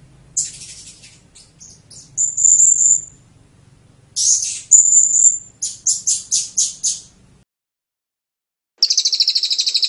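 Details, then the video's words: Blue-crowned hanging parrot singing in the serindit teler style: high, thin chirps and drawn-out whistled notes, then a string of rapid clipped notes and a fast buzzy trill at the end. "SERINDIT TELER"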